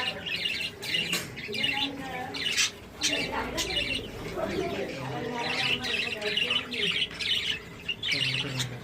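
Budgerigars chatter in a continuous stream of scratchy warbles, squawks and chirps during courtship.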